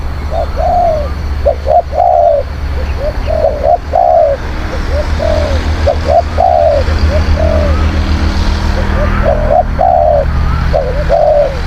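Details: Spotted dove cooing as a lure for wild birds: repeated short-short-long phrases of hollow low notes, with a steady low engine-like drone throughout.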